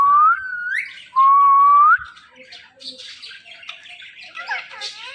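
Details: Talking parrot kept indoors as a pet whistling two long rising notes, then breaking into a soft jumble of warbled chatter and squeaks.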